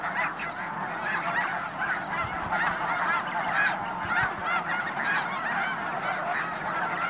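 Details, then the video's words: Snow Geese in a big flock at the Hayton reserve near Conway, Washington, calling incessantly; rapid overlapping yelping honks, roughly two per second stand out, over a dense background murmur of many birds. "Snow Geese"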